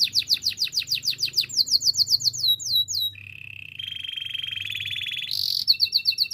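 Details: Canary singing a training song: quick repeated falling chirps, then a flat sustained whistle that turns into a fine rapid rattle, ending with a brief loud burst and more clipped chirps.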